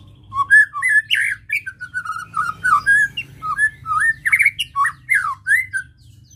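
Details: White-rumped shama singing to provoke emotion: a steady stream of short whistled and slurred notes, rising and falling, phrased in rhythmic pulses roughly every half second, over a soft low hum.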